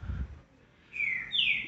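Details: A captive Green-winged Saltator, singing again and eating the new food put out yesterday, answers another saltator from houses near the hill with two clear whistled notes, the first slightly falling, the second higher and sliding down, after a brief low thump.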